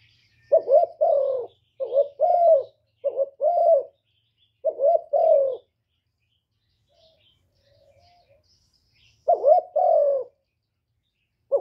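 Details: Decoy spotted dove from Cà Mau, Vietnam, cooing to lure wild doves: low two-part phrases, a short note then a longer falling one, five phrases in quick succession, a quiet pause, then one more phrase.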